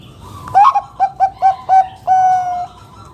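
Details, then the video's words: Zebra dove, Bangkok-type perkutut, singing a loud lure song used to draw other doves into song: a bubbling opening phrase, four short evenly spaced coos, then one long sustained mellow coo, clear and dominant over a quiet background. "Perkutut Bangkok gacor Suara KUNG BESAR Masteran Burung Perkutut agar Bunyi GACOR"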